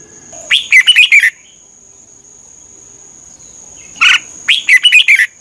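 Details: Red-whiskered bulbul of Thailand singing, played to train birds or excite them: two phrases of rapid, bright warbled notes a few seconds apart, with a thin steady high tone in the background.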